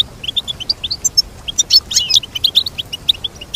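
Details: Goldfinch singing in clean sound: bouncy high chirps repeated several times a second, with a richer warbled phrase in the middle.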